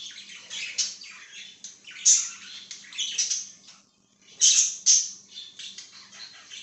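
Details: Budgerigar chattering with buzzy, scratchy warbles broken by sharp, loud squeaks near two and four and a half seconds; a short quiet gap falls just before the four-second mark.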